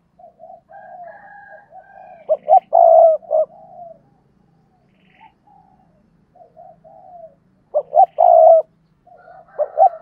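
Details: Decoy spotted dove cooing twice in ten seconds, each phrase made of quick short notes and a drawn-out vibrating coo. Softer, more distant doves coo in between with a faint low hum underneath.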